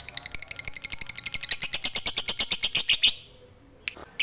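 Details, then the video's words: Lovebird fighter giving its long ngekek chatter, used to provoke other lovebirds into singing. Rapid shrill chirps speed up into a dense, ringing trill, then stop abruptly. A couple of faint isolated notes follow. "Segala Jenis LOVEBiRD Bakal Terpancing, Emosinya Naik FIGHTER Lanjut NGEKEK"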